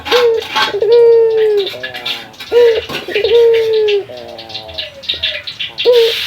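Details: Calling cock Barbary dove (puter lokal) challenging a rival. Short bent notes alternate with long sustained coos ending in a rapid rolling flutter. Soft knocks and some room noise sound in the background.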